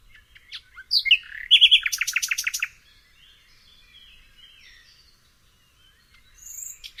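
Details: Common nightingale singing: a few scattered sharp notes, then a fast burst of loud, repeated clicking pulses lasting over a second, followed by quiet pauses and a faint high note near the end.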